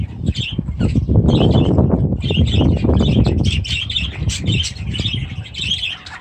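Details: Budgerigars with young chicks in an aviary: busy chirping chatter from several birds, with bright trilled notes repeated rapidly, while heavy low thumps and fluttering rumble loudly underneath.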